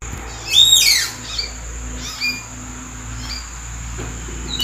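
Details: Common hill myna calling from treetops in April: a loud squawking burst with whistled notes sweeping downward, followed by softer short whistles, over a steady high insect drone.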